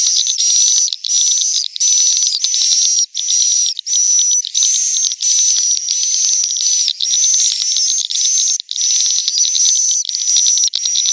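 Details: The roosting call of swiftlets, recorded inside a building and used to attract the birds to roost: loud, high, buzzy trilled phrases, each about half a second, repeated steadily with tiny pauses, overlaid with thin whistles.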